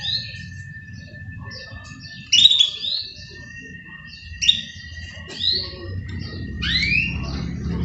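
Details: Caged canary during morning care, giving a series of separate rising whistled sweeps about one second apart, sharper clipped notes between them, over a steady thin tone and low room rumble.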